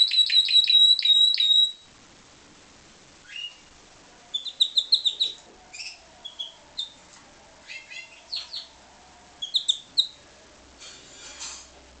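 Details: Pied Timbrado canary, captive-bred, opening with a bright ringing trill, then falling quiet before giving scattered short bursts of rapid notes and brief trilled phrases separated by pauses.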